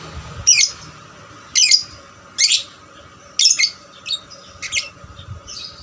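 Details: Young lovebird singing diligently as a lure to get other lovebirds singing; shrill, scratchy chirp bursts spaced about a second apart, some doubled, against a quiet background with a faint steady hum.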